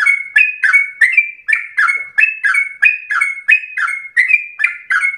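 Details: Fluent, insistent song of a sooty-headed bulbul, meant as a prompt and a tutor for other birds. Paired whistled notes, a slurred lower note then a clear higher one, repeat at a steady bouncing pace.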